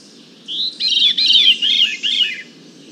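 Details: Veery recorded from 100 feet away with a parabolic microphone gives a breezy, fluty phrase lasting about two seconds, spiralling downward through ringing, overlapping notes, with a soft background hum.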